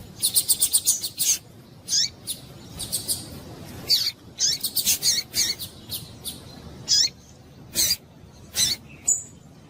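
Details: Female double-collared seedeater calling to excite males: an opening rapid burst of high twittering chirps, then bursts and single sharp, high chips every second or so over a quiet background.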